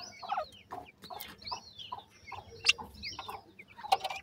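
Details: Captive francolin chicks call while feeding, giving repeated short, high, downslurred peeps roughly twice a second, mixed with pecking clicks and taps.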